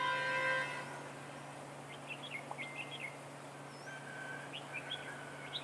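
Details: Red-whiskered bulbul recorded during trapping with a decoy bird on 15 March 2018. Short chirpy, warbled notes come in loose clustered phrases, fairly faint over a steady low hum, after a brief harmonic tone at the start.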